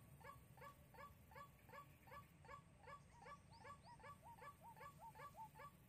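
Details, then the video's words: White-breasted waterhen lure recording for trapping, Soc Trang, Vietnam, 2 February 2021: short croaking notes repeated about two and a half times a second in a steady series, over a low rumbling background hum. "Bẫy Quốc Mồi Sóc Trăng"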